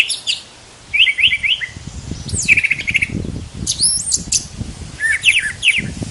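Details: Brown thrasher song: short bursts of varied, rapid chirpy phrases, high and bright, some notes given in quick pairs, with gaps of about a second between bursts; a low rumbling background noise runs beneath.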